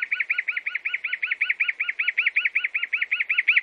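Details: Chalk-browed mockingbird, known in Brazil as sabiá-do-campo, giving a fast, steady run of about twenty identical chirped notes, close and clear with a quiet background.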